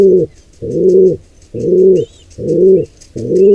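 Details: Repeated low, broad pigeon coos, five in three and a half seconds, rise and fall in loudness as an intruder pair attacks a wild nestling; faint high chirping sounds behind.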